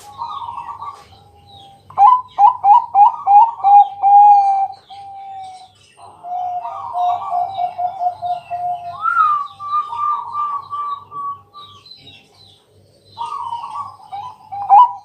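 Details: Night lure song of a Bangkok zebra dove meant to get other doves singing: long sequence of rapid rolling coos, stuttering note clusters, a higher trilled phrase around the middle, a pause, then renewed trills.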